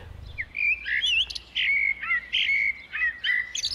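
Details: Eurasian blackbird in spring breeding season, the most obvious song in European urban areas, sings an opera-like tune of mellow, fluted whistled phrases with short pauses, each ending in a brief higher, squeaky twitter.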